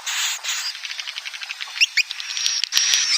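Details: Swiftlet roosting call, steady high buzzy twittering that fades slightly mid-way, then rises again, with a few short clicks and chirps scattered through.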